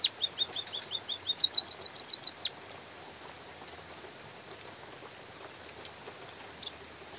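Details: In light rain, a white-headed munia gives a run of soft high chirps that speeds into a tight burst of sharp tweets. It then falls silent except for a single later note, with faint rain hiss throughout.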